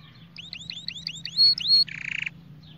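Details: Spanish Timbrado canary singing for song training: a quick series of about eight rising whistled notes, then a few pure high whistles and a buzzy metallic trill, over a low steady hum.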